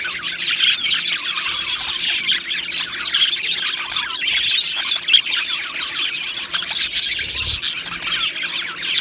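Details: Aviary colony of Australian budgies chirping and singing together, a continuous crowded high-pitched twittering with scratchy squawks mixed in, steady in loudness throughout with no pauses.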